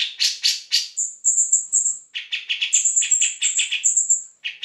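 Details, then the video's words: Grey-cheeked bulbul singing vigorously for training other songbirds: a few loud harsh notes, then a high, thin whistled phrase, followed by rapid chattering with high whistles woven over it. "Cak Jenggot Gacor"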